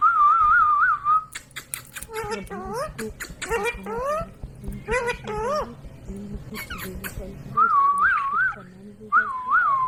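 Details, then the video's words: Ringneck parrot talking, with a pet-bird setting suggested: a wavering, trilled whistle opens and closes the passage, framing a run of rapid, rising speech-like syllables in between. "Parrot Talking |Ringneck parrot sound"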